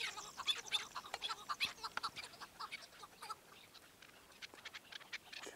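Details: A chukar partridge gives harsh, raspy clucking notes in quick, uneven bursts, mixed with a few thin whistles, then fades to quieter scattered clucks.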